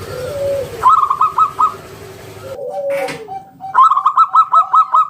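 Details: Singing local Zebra Dove in the ngalun 'kung bulat' style, played to coax other doves to sing: a low drawn coo, then a quick stuttering run of about five bright notes, a pause, and a longer run of seven.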